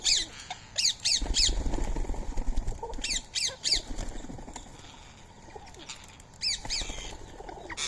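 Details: Indian ringneck parakeets, free-living rose-ringed parakeets visiting to feed on soaked rice and corn on a March morning at 06:30; harsh repeated squawks in bursts with rising-falling harmonic stacks, interspersed with wing flaps and rustling.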